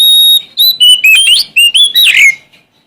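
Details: Sumatran Oriental magpie-robin singing loudly to find a rival: a held whistle, then a fast, rich sequence of clear notes stepping up and down, finishing with a warbled, descending slur.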